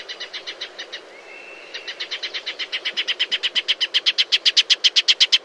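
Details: Shining sunbird recorded in natural desert habitat, delivering a rapid series of short, hard notes at about four per second that grows steadily louder and quicker, with a brief thin whistle near the start.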